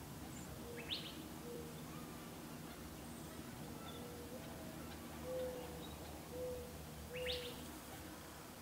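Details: Gambel's quail hen calling her chicks together in Gold Canyon, Arizona, May 2011: a series of soft, low, level notes in an uneven sequence, with two sharp, high, rising chirps standing out above them.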